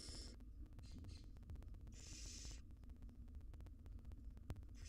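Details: Wild barn owl mother feeds nestlings in a nest box; brief hiss fragments, then one longer rasping hiss near the middle, with steady low hum and clicking throughout.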